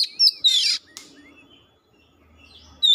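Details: Oriental magpie-robin in lure song, showing off its repertoire; a loud whistle and a harsh, noisy burst open the clip, followed by a long quiet stretch with faint soft notes and a final sharp whistle.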